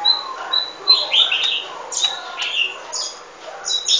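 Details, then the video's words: Golden-fronted leafbird singing a varied run of short whistled and chattering notes, with sharp high whistles and rapid slurred phrases mixed in throughout. "Golden fronted leafbird"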